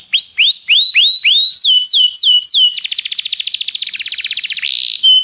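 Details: Song of a Belgian canary, used to stimulate other canaries to sing: upward-swooping whistles, a few higher rising notes, then a very fast, even rattling trill and a short steady tone.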